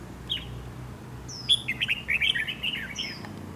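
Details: Red-whiskered bulbul with a heavy dark bib, a decoy bird for trap fighting, delivering a rapid jumble of chirped, slurred notes after a single opening chirp. A thin high whistle sounds near the end.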